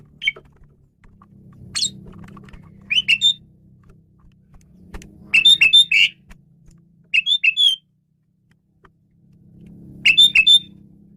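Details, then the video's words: Male Asian pied starling in varied song, played to lure birds: scattered short groups of sharp whistled and buzzy notes separated by pauses, over a low hum of background noise. "JALAK SUREN JANTAN GACOR BERVAREASI"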